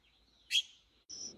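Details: A young red-billed blue magpie, apparently learning to fly and fallen into grass from bamboo and bushes on a mountain, gives bright, high chirps: a sharp burst followed by a thinner sustained note, over faint background noise.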